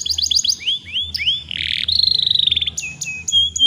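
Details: Young canary singing to stimulate other young canaries to sing: high rapid sliding whistles, a buzzy section and fast trills of repeated notes, over a steady low hum.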